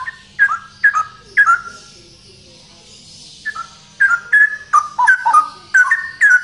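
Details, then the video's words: Loud ropel song of a male straw-headed bulbul: a burst of rich whistled phrases, a pause of about two seconds, then a longer run of bubbling, sliding notes repeated roughly once a second. "Burung Cucak Rowo Jantan Gacor Suara Lantang ROPEL"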